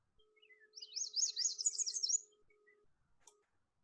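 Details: Yellow warbler singing a quick, bright run of high sweet notes that speeds into a jumbled flourish, remembered as "sweet sweet I'm so very sweet", over a steady low hum.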